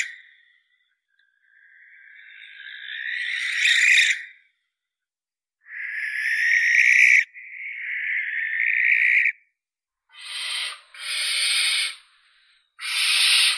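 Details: Barn owl giving a series of rasping, drawn-out screeches, the first swelling slowly over three seconds, then several shorter harsh bursts separated by brief silences.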